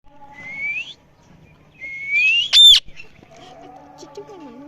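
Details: Parrot making different noises: a rising whistled note, a pause, then a longer rising whistle ending in a loud harsh squawk, followed by lower fluttering and sliding tones.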